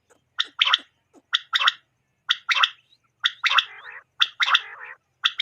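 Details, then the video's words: Quail call for night use, buzzy two-part calls repeated about once a second with rattling trailing notes and no other sounds; tags name Common Quail and male. "Quail sound for night"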